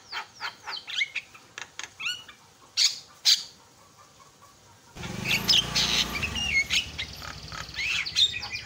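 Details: Javan myna calling loudly to stir other mynas: a string of sharp separate notes with whistled upslurs, a short pause, then a denser burst of squawks and chatter over background hiss.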